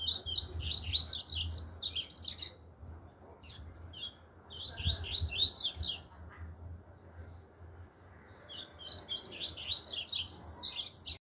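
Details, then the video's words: Chopi blackbird song in three bursts of rapid, varied chirping and warbling phrases separated by short quiet gaps, the last burst rising into sharper high notes. "pardo tui tui zero zero"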